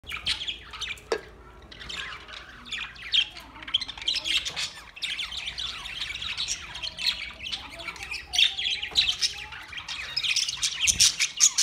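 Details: Green parrots near Larkana, Sindh, recorded August 30, 2023: a busy chorus of harsh, overlapping squawks and sharp chirps from several birds, calling almost continuously with short pauses, loudest bursts near the end.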